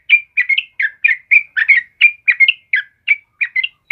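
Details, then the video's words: A yellow-vented bulbul sings energetically in a recording meant to lure and tutor caged birds. Quick bright chirping phrases repeat without pause, each note a brief bubbly whistle that dips or climbs, roughly three per second. "Suara Burung Trucukan Kebo Asli Gacor buat pancingan dan masteran"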